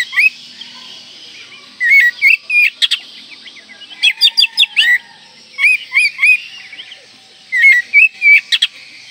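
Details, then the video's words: Oriental magpie-robin singing a full, varied song meant to raise breeding condition and make rivals agitated: repeated clusters of curling whistles and sharp chirps about every two seconds. "Kacer Gacor Full Isian Mewah Merangsang Birahi Agar Tetap Gacor Ngobra Dan Lawan Jadi Emosi"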